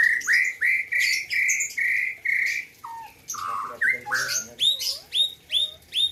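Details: White-rumped shama originating from Gayo, Aceh, singing for the 2021 Presiden Cup: loud rhythmic whistled notes repeated about twice a second, then mellow lower phrases, ending in a series of sharp rising chips.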